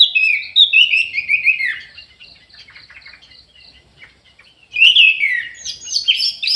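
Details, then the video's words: Orange-headed thrush singing in an aviary: a loud cascade of descending warbled notes, a quiet pause with soft twittering, then a second burst of bright, varied whistles and trills. "ANIS MERAH GACOR"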